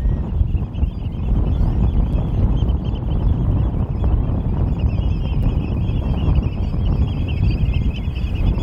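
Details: European golden plovers at Norddorf, Amrum, on 8 April 2022 at 16:50, recorded with a Canon EOS R5 camera: many birds calling together in a continuous chorus of short high whistled notes, half buried under heavy roaring wind.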